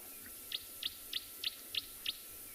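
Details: Green-backed camaroptera (bleating warbler) at sunset on 12 November in Tswalu Kalahari Reserve, South Africa, gives six sharp, high ticking notes, about three per second, over a faint steady insect hum of cicadas and clicking moths.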